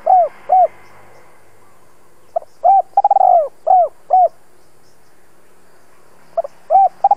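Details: Spotted dove used as a decoy, calling to lure in wild doves. Two soft coos close one phrase. After a pause comes a full phrase with a stuttering long coo and two mellow falling coos, then a third phrase starts.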